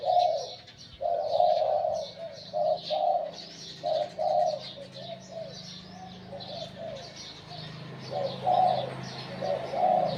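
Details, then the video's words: Spotted dove, a wild-caught decoy bird with a medium-to-deep voice, giving soft rolling coos in irregular bursts, some phrases run close together, others spaced by pauses; light chirping and a low background hum. "สุดยอดนกต่อ หลิ่วตัน"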